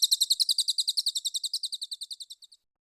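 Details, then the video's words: Cililin training song for contest birds. A fast series of high, piercing chirps starts loud, then gradually fades and slows before stopping, leaving a quiet end. "Masteran Cililin Premium: Suara Gacor Juara untuk Burung Lomba!"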